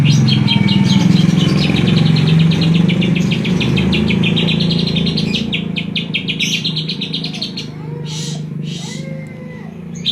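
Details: Banyuwangi greater green leafbird in kapas tembak-style song, rattling off quick repeated high notes for about six seconds, then scattered whistles and chirps, all over a strong low background drone.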